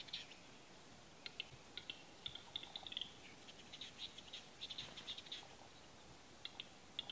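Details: Capercaillie at a lek in Salla, Lapland, Finland, 2021: dry, wooden tapping clicks in irregular clusters, sometimes quickening into brief rattling bursts, faint against a steady outdoor hiss.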